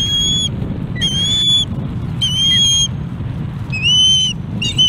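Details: Osprey chick at a Charlo, Montana nest on 21 August 2017, calling for fish before an adult delivers one: clear, high whistled notes, some rising, given in separate bursts about once a second over low background rumble.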